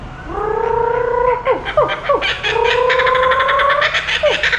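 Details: Merlyn, a captive laughing kookaburra hatched at SeaWorld Orlando, gives its rolling laugh: harsh, rapid chuckling notes and sharp downward hoots that surge and break up into a cackling burst.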